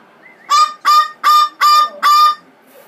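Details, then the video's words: Blue-fronted amazon protesting after being sprayed with water and rose water: a short whistle followed by five strident, honking screams delivered about twice a second. "Amazon parrot with a bad temper"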